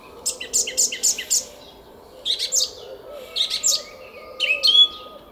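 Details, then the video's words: Song thrush singing at dawn in spring in a garden at Szalkszentmárton, Hungary, 10 April 2021: a quick series of five identical high notes, then shorter repeated groups and a whistled ending. "ÉNEKES RIGÓ TRILLÁZIK A KERTÜNKBEN!"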